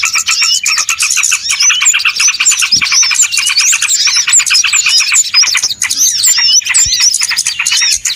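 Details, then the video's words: Busy flock of small birds heard in a lure for bird trapping, continuous twittering chips and whistled sweeps densely overlapping, a couple of soft thuds. "SUARA PIKAT BURUNG RIBUT ANTI ZONK"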